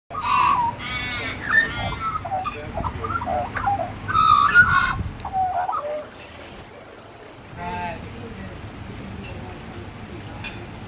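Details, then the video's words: A young Australian magpie that came begging for food at a cafe warbles a rich, varied run of fluting, gurgling notes for about six seconds, then fades to a quieter phrase over faint background hum. "Magpie warbling"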